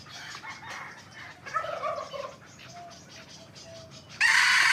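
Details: Morning crowing by young hybrid Indian junglefowl. A short, tonal, stepped crow comes midway, and another loud, raspy crow breaks in at the end over faint background calling.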